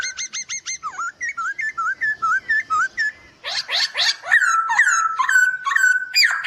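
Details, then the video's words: White-crested laughingthrush master song for training birds: rapid series of rising whistled notes, then repeated upslurred whistles about twice a second, ending in loud harsh downslurred phrases. "Masteran Poksay Hongkong Gacor"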